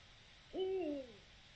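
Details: Eurasian eagle-owl recorded 7 October 2020 for the Territorio Lince initiative: a single deep hoot, sharply rising at onset then held and sliding gently downward for about half a second, over faint steady background hiss.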